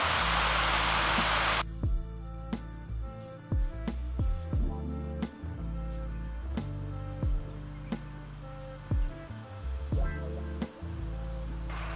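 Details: A burst of rushing noise gives way to steady background music with a regular beat and sustained low tones; no animal calls stand out.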